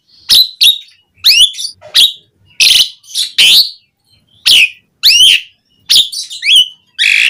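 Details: Asian pied starling in energetic, fill-laden song, played as a lure to make starlings sing. Loud irregular whistles, many sweeping steeply up or down, mixed with harsh buzzy notes and brief pauses.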